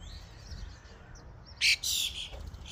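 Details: Common starlings in a flock at a feeding station. Quiet chatter at first, then two loud, harsh, rasping bursts close by, followed by softer calls.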